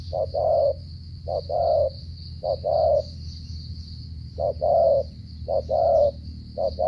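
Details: Spotted dove from Cà Mau, Vietnam, giving the stuttering 'gù cà lăm' coo: low hollow notes in short-then-long pairs, repeated in irregular bursts over a steady high insect-like hiss.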